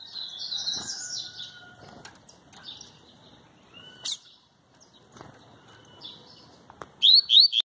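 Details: Double-collared seedeater singing with no female present: high, buzzy phrases mixed with clear drawn-out whistles, ending in a quick run of sharp repeated notes, with soft wing flutters and faint background noise.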